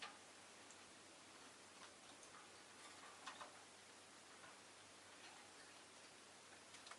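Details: Faint hiss fills a still room, broken by soft ticking clicks, and no chirping is heard.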